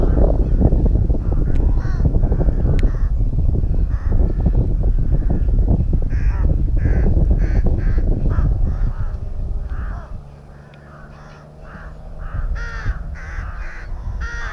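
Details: Nesting rooks in a colony at Tyrnovo. Heavy low rumble for the first half gives way to quieter air, where a quick run of harsh, nasal caws comes several per second near the end.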